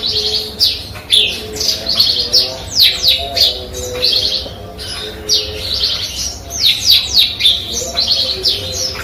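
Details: Eurasian tree sparrow singing in a song filled with learned canary and cigun material; quick bright chirps and downward-sweeping high notes in dense bursts about every half second, with a faint low hum underneath.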